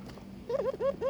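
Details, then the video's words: Barbary dove courting its mate: three quick, bright, upward-sliding notes in close succession over a faint low hum. "burung puter ngajak kawin"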